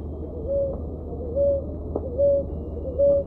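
A ruddy ground dove gives four soft, low, even coos, a little under one per second, over a faint low hum.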